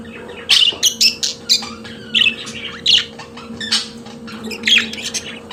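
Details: Pet budgerigar song of rapid clicks, sharp chirps and warbles in quick clusters, with brief pauses between bursts over a constant low background hum.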